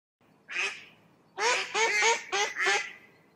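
A Mallard gives one harsh, nasal quack, then a quick run of about five raspy quacks, loud and slightly descending.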